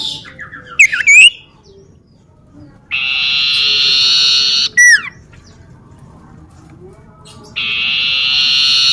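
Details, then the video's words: Common iora in a garden near a home, singing an actively trilling song: sustained buzzy trills of about two seconds, each joined by quick downslurred whistles, with quiet pauses between. "siulan burung cipoh"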